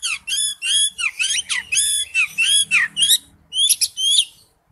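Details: Oriental magpie-robin in wild-type song, a dense stream of loud slurred, harmonic-rich whistled notes, mostly falling, packed together with brief pauses, and a faint low murmur underneath.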